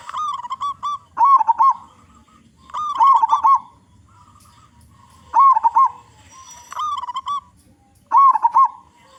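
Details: Local zebra dove with a big voice, used as a lure to set other zebra doves singing: deep rolling cooing phrases with short staccato notes, repeated roughly every two to three seconds, with pauses between.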